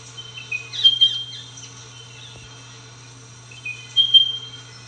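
Spotted pardalote giving two high, soft whistled phrases about three seconds apart, against a faint steady insect-like whine and low hum.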